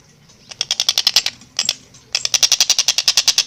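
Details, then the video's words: A stork-billed kingfisher calls at full energy with a clear, rapid, dense delivery. Sharp rasping pulses run in quick rattling trains, broken by a short pause, then a longer fast burst of evenly spaced harsh notes. "Masteran Burung Tengkek Buto Gacor Suara Jernih Speed Rapat"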